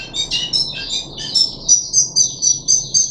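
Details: Caged puff-backed bulbul recorded on 14 July 2021 during the third day of a deworming treatment: high, sharp chirped notes, first jumbled and overlapping, then settling into a rapid run of clipped whistles about four per second, over a faint low hum.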